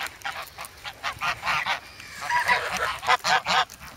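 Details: Geese in winter snow at Sloterpark, Amsterdam, 3 February, grown from goslings and pestering for bread; short honks pulse unevenly, several per second, against a hissing background.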